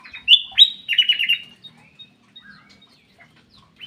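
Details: Black-capped bulbul singing in an aviary: a burst of loud, clear whistled notes that leap upward, then a quick rippling run of descending warbles, followed by faint scattered chirps from other birds.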